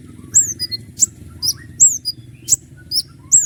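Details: Common iora singing sharp 'shot' notes in a long roll, kept as master song for other birds: high, clear downslurred whistles alternating with sharp clicks roughly every half second, low hum beneath.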